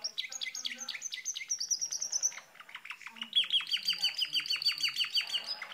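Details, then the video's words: Pet canary singing fast, high, varied phrases of rapid trills and chirps, then quick downward-sweeping notes repeated about three times a second. "sound of canary bird talking"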